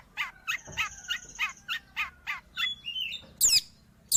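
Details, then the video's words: Long-tailed shrike, or pentet, singing as a training or luring aid: a rhythmic series of harsh, scratchy notes roughly three a second, a thin whistle running beneath, closing with loud high squeaky bursts. "Suara burung Cendet / pentet"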